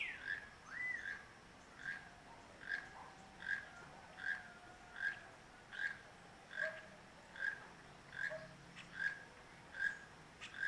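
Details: A Honduran toucan singing at Las Vegas, Santa Bárbara, near Santa Bárbara mountain, gives dry, frog-like croaks, about one per second in a steady run of about a dozen, with a faint background hiss.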